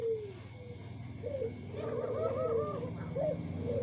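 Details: Tame spotted doves, one white and one normal local bird, give soft, low, mellow coos in short rolling phrases, with a steady low rumble like distant traffic behind.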